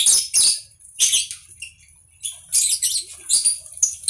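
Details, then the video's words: Conure calling in loud, grating screeches, paired bursts separated by short silent gaps, ending in a quick run of rasping notes. "Conure bird"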